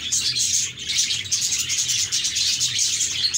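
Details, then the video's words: Happy parakeets chirp and warble continuously, thin whistled notes standing out over a dense bed of high squeaky chatter, with a soft low murmur beneath. "Budgies Chirping"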